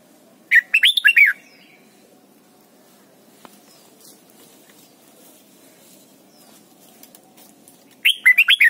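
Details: Red-whiskered bulbul song used to teach young birds to sing: two short bursts of loud, bubbly whistled notes, rising and falling, about seven seconds apart, over a low steady hum.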